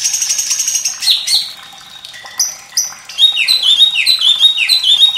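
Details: White-rumped shama song with running water, for training young birds to sing: a rapid high trill, varied whistles and chips, then repeated swooping whistles that fall and rise again in quick succession.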